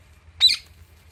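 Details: Pet Alexandrine parakeet kept with Indian ringneck parrots, playing among palm fronds: a single short, harsh high-pitched screech lasting about a quarter second, over a faint low hum.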